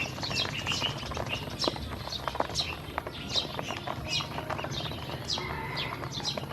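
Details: Hungry baby domestic ducks fed and watered, giving high, sharp downslurred peeps at an uneven pace, layered over constant bill-clicking and feeding clatter.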